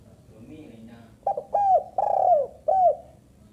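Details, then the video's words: Calling female spotted dove: four low mellow coos in a rough rhythm, the first brief and doubled, the others longer and slightly falling, over a faint low hum. "burung tekukur betina"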